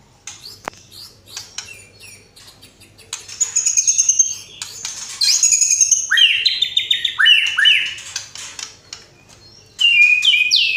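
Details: White-rumped shama in energetic song rich in varied fills: after a quiet, scratchy start, loud high buzzy trills and sweeping downslurred whistles tumble in quick succession, ending with a bright burst of rapid notes.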